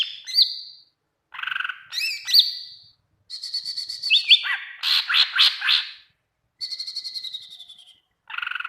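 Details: Greater green leafbird song used as training audio to get other leafbirds to answer: varied, rapid phrases of sharp whistles, buzzy trills and rising chirps in bursts separated by brief pauses, with no other sounds.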